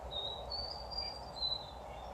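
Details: A juvenile male White-throated Sparrow still learning his song gives thin, pure whistled notes, one long note edging slightly higher before dropping back, unsteady and unfinished with the pattern not yet right, over a low background hum.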